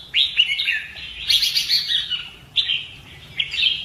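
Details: Red-whiskered bulbul in fighting-song training; lively rising whistled notes, then a dense buzzy chattering burst, followed by two more short warbled phrases.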